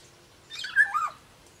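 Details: Black-naped oriole of the Sumbawa type, a popular kept songbird: one short harsh, nasal call that slurs downward and ends in a lower note, over a quiet background.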